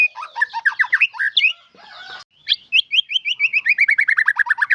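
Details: White-rumped shama song with isian filler phrases: varied chattering whistles, a brief rough noisy passage, then a long even trill of sharp, repeated downslurred notes.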